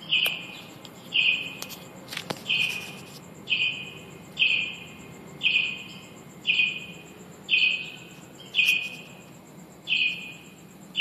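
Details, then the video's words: Indoors, finches nesting in a shop call steadily: about ten bright, even chirps spaced about one second apart, each with an echoing tail, with a few sharp clicks early on and a constant low hum; recorded on an HTC Evo 3D. "Finches singing in shop"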